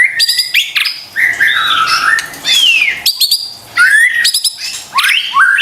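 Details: Lure song of a white-rumped shama, meant to make a stressed, reluctant caged bird answer: clear downward-sweeping whistles alternate with clusters of harsh, rapid chirps and short silent gaps.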